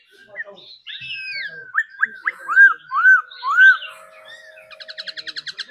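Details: Trained laughingthrush singing in the 'singing and dancing' style: a run of clear, arched whistled notes, each rising then falling, followed by a fast, evenly spaced trill of short high notes.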